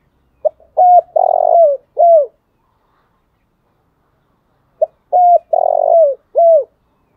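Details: Morning calling song of a decoy spotted dove, two identical phrases about four seconds apart, each a clipped opening note, a steady coo, a long vibrating coo bending downward, and a falling last coo, in silence.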